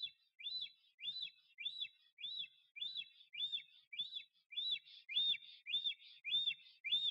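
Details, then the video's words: At its nest in Notecka Forest, 12 April 2023, a male black stork courts an absent female, singing and displaying; loud, evenly spaced whistles, each rising then falling, about seventeen per ten seconds, with faint low thumps between. "Bocian czarny Puszcza Notecka - Starania o samice"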